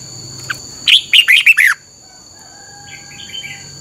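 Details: A caged red-whiskered bulbul in Thailand sings one doubled-style phrase meant for training other birds: five clipped, slightly descending whistled notes in under a second, then near silence with a faint distant chirp and steady background whine.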